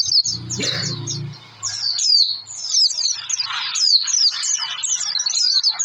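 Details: Oriental white-eye singing a lure song for prompting birds to sing: continuous high-pitched chattering twitter with quick slurred whistles, over a faint low hum near the start.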